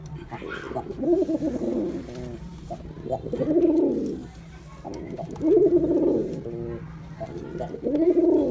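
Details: Rhythmic male pigeon cooing, with four throaty, arching coos spaced about two seconds apart and short rattly notes between some of them.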